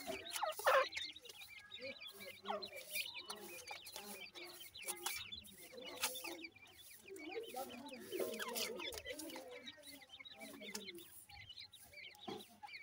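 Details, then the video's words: Grey francolin little chicks feeding, a dense, continuous chorus of faint high chirps and soft low churring notes, punctuated by scattered clicks. "gray francolin little chicks feeding,teter chicks awaz"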